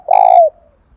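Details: A single half-second coo from a caged spotted dove singing in the 'giọng đồng thổ' voice style: a low, hoarse note that slides gently downward and fades out.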